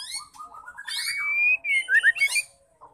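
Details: Female white-rumped shama singing, a call used to stir males into singing: varied whistled phrases, a long sustained whistle rising slightly, then quick looping warbled notes, clear and fairly loud.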